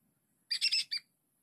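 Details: Red junglefowl in the wild, at a site in Indonesia locally said to be haunted, where many junglefowl live, while being lured; a short, high, four-part crow: three quick harsh bursts, then a brief pause and a final clipped note.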